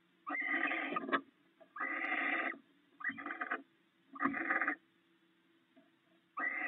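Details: Barn owls at their nest box in the early morning, snacking on stored rats the male brought overnight; five raspy, breathy screeches of uneven length with soft rustling between them and a low hum.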